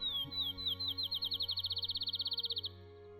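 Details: Field Sparrow in Ontario, Canada, spring morning song: a few slow, clear whistled notes speeding into a fast, even trill like a bouncing ball, with a faint music bed underneath.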